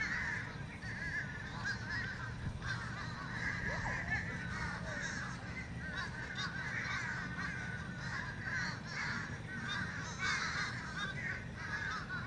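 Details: Several fish crows making a ruckus, a steady overlapping chorus of hoarse, nasal cawing notes with no clear pause, set against a constant background hiss.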